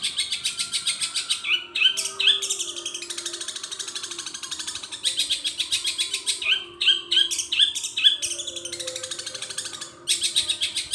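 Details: Long, varied long-tailed shrike song copying gereja petir, kunti and tengkek buto, alternating dense rasping chatter at about two to three pulses a second with clear whistled upslurs, phrases separated by brief gaps.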